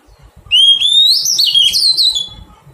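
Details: Oriental magpie-robin, wild-caught and being tamed, gives one sustained whistled phrase. It climbs steadily, then dissolves into rapid, fluttering warbles for about two seconds over faint low knocking.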